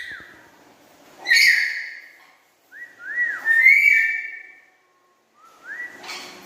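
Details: Pet black-capped lory chattering loudly: a rasping burst, then a string of clear whistles that rise and fall in arcs, ending with a short upward whistle and a harsh note.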